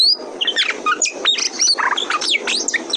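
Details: Oriental magpie-robin, a kacer kept as a territorial fighter bird, in a lure recording meant to set other kacer singing; a dense, fast jumble of varied chirps, trills and sharp whistled notes crowding the upper range, with steady background hiss.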